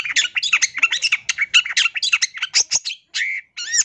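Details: Long-tailed shrike in full, busy master song meant to make young birds copy it, an unbroken jumble of scratchy chirps and squawky notes that closes with two longer rising whistles.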